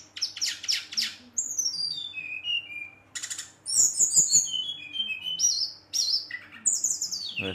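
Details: Brown-chested jungle flycatcher in aggressive song aimed at rivals: dense stuttering notes, descending whistled runs, rapid high trills and bright repeated phrases.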